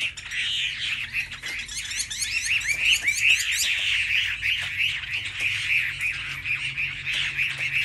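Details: Several Chinese hwameis (Garrulax canorus) at a market sing competitively against rival birds, pouring out loud, rich, fast-changing whistled phrases that overlap in an unbroken stream of bright trills and slurred notes.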